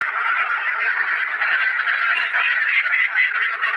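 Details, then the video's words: Loud calls of many ducks kept in a cage: a dense, unbroken chorus of overlapping nasal, honking quacks that blend into a steady din with no pause across the whole stretch. "the loud sound of ducks in the cage"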